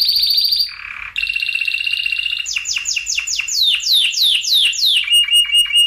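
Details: Spanish Timbrado canary song meant as a tutor recording for other canaries: a high rolling trill, a short low buzzy burst, a mid-pitched roll, a series of falling swept notes, then fast clicking notes.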